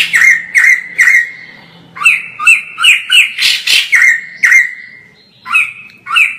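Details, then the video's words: Energetic song of a white-crested laughingthrush, recorded from far away and meant as tutor audio for other birds: clear ringing notes, some sliding, with a burst of harsh scratchy chatter midway, a long drawn note, then a short pause. "POKSAY JAMBUL GACOR FULL"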